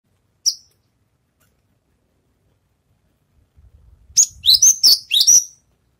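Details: Javan bush lark after its moult, practising its songs: one sharp high chirp, a pause, then a quick run of five bright, high downslurred notes, with faint low rustling beneath.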